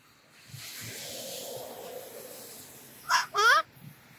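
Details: Moluccan cockatoo out on a walk, greeting people: low murmur of background noise, then near the end two short, loud, harmonic voice-like calls, the second wavering and rising in pitch.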